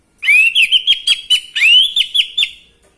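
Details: Orange-headed thrush song used to get males singing: two loud phrases, each a rising whistled slur followed by rapid repeated sharp notes, with a fading tail.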